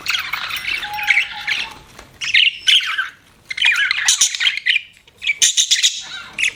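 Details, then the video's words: Pet budgie chirping in separate bursts of raspy warbled notes, with one steady low whistle early on and short silences between phrases. "BUDGIE CHIRPING SOUNDS"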